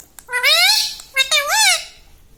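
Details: Talking pet rose-ringed parakeet at home saying two drawn-out, clearly voiced words, likely "mummy"-style syllables, with rich harmonics and a rising-falling inflection, in a quiet room.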